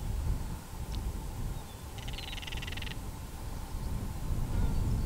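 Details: Harsh, grating rattle about one second long from a Northern Crested Caracara, a falcon-family bird that calls when disturbed during breeding season; low wind roar throughout, a brief click earlier. Captured on a Canon SX70HS.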